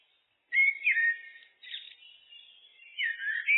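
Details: Common blackbird (Turdus merula) song: after a short silence, mellow fluted whistled phrases, then a brief scratchy twittering burst, a softer stretch, and a final warbled fluty phrase. No other sounds are heard.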